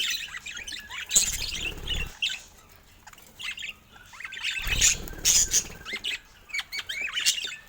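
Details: Affectionate pet budgerigars giving quick high chirps and squawky warbled notes in bursts, with low rustling or wing sounds in two stretches.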